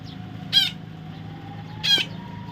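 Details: A baby parrot gives two short, harsh, buzzy squawks about 1.3 seconds apart, with a low steady hum underneath.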